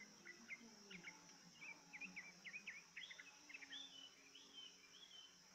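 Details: Yellow-vented bulbul lured into singing: a series of short chirpy, slurred notes rising and falling, packed across five seconds over a steady high hiss and faint low hum.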